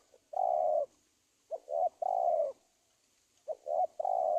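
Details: Spotted dove call used as a lure for wild doves: repeated low cooing phrases, quick double hoots then a drawn-out coo, about every one and a half seconds, over a faint steady high hiss.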